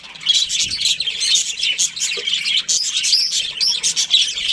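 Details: Australian budgies, a breeding pair, keep up rapid, high chirping and warbled chatter, with a few sharp clicks and a faint low knock near the middle.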